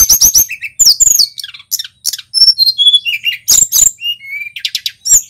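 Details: A dense male Tledekan Gunung song for tutoring songbirds: rapid chips, sweeping whistles and short steady whistled tones tumble together with hardly a break.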